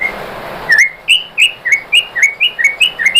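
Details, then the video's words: White-rumped shama song used to provoke other shamas: after a short whistle, a steady series of about nine bright, upslurred chirping notes repeated roughly every quarter second. "bikin MURAI BATU jadi NYAUT GACOR BONGKAR MATERI ¦ PANCINGAN MURAI ¦ SHAMA BIRD"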